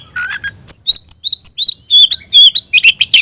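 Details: Oriental magpie-robin in bold song to summon a rival to fight: a stream of clear, varied whistled notes, many sliding up or down, delivered quickly with scratchy chips between.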